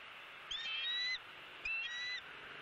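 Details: Bald eagles at a Southwest Florida nest camera on 28 January 2017, as a month-old eaglet tries to feed itself on a delivered opossum. Two bursts of high, thin whistled notes with bright overtones, each about half a second long.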